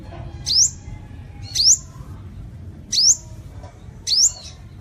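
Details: Sunbird, the seven-coloured sunbird recording used as a lure to draw birds in: thin, sharply rising high whistles, four in just under five seconds, each about a second apart, over a faint low hum.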